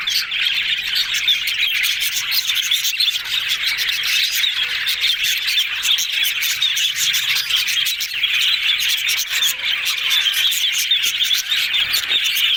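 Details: A group of yellow budgies, said to be happy, keeps up a long unbroken stream of high chirping and warbling, with many rapid clicks and occasional louder squawks over the chorus.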